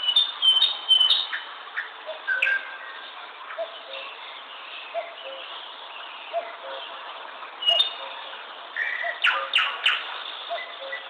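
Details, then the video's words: A bird chirping: scattered short high chirps and clipped notes, some in quick clusters, with quieter soft calls between them. "Chirping Bird"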